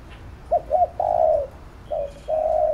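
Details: Spotted dove calling to train a bird: two quick hooked notes, a long falling coo, then a short note and a final sustained coo; quiet background.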